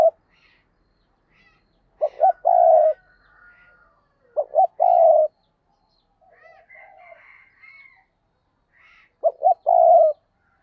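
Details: Decoy spotted dove calling to attract other doves: three coo phrases roughly every three and a half seconds. Each phrase is two quick notes and a drawn-out note, with faint twittering between.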